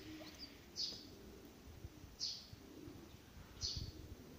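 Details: Two-week-old young royal pheasant chicks give thin, high peeps, three of them spaced about a second and a half apart, over a low background rumble.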